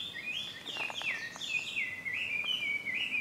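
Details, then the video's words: Wild Chinese hwamei at いきものふれあいの里, Japan, in June 2020, singing a rich run of whistled notes that swoop up and down in quick succession, with faint background noise throughout. "ガビチョウ/Garrulax canorus"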